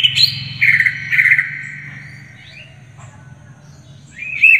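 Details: Greater green leafbird singing gacor with isian phrases for masteran use: three short bright whistled bursts at the start, a quiet stretch with a low hum, then one rising whistled phrase at the end.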